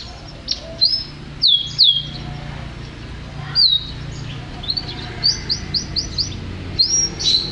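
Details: Canary of champion standard sings loud downslurred whistles, then a series of quick rising notes spaced about a third of a second apart, over faint low noise.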